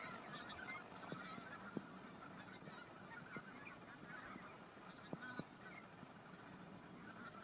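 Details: Spring 2019 at Kalvi village in Virumaa: greater white-fronted geese that have just arrived keep up a distant chorus of high, yelping cackles, broken by scattered sharp clicks and knocks.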